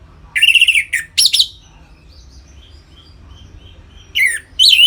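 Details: Captive Orange-headed thrush giving gacor ngeplong song used to stimulate caged birds into breeding readiness: short loud whistled phrases with harsh buzzy overtones, a brief pause, then more whistled notes, indoors with low hum.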